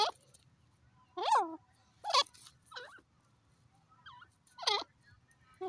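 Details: Grey francolin, known as teetar, calling with loud hoarse rising and falling notes in irregular bursts roughly a second apart, some quieter softer notes between, and a steady low hum underneath.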